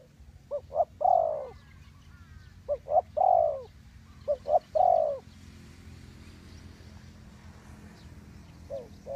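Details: Spotted dove used as a decoy to lure wild birds into a trap, giving three short cooing phrases, each a couple of quick low notes then a longer mellow coo, about two seconds apart, followed by quiet with a faint low hum.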